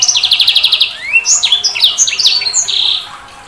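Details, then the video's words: A sanger bird gives a quick train of even, ticking pulses, then a rising whistle and a lively jumble of slurred chirps and whistles, fading at the end. "Suara Burung SANGER"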